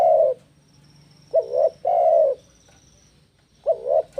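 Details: Spotted dove, known locally as tekukur, used as a recording to lure and train doves: mellow, low cooing phrases, a wavering two-part coo followed by a longer drawn-out coo, repeated about every two seconds.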